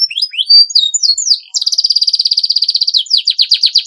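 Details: Canary in continuous 'gacor' song, said to drive rivals to answer: varied high sweeping whistles, then a long rapid buzzing trill of even repeated notes, turning into a slower pulsing series.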